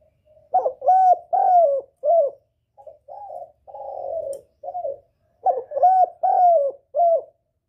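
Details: Spotted dove calling as a lure for males: quick bursts of three to four hollow coos, a softer, muffled middle stretch, then another brisk series of falling coos.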